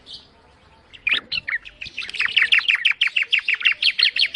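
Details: Bar-winged prinia song starting after a second of quiet: a few scattered chips, then a steady, rapid series of sharp, high repeated notes, about three per second.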